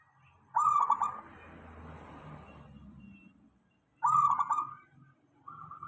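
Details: Local zebra dove song used as a lure to draw replies from other doves: two rolling, stuttered cooing phrases about three seconds apart, with a soft low rumble between them and a third phrase starting at the end.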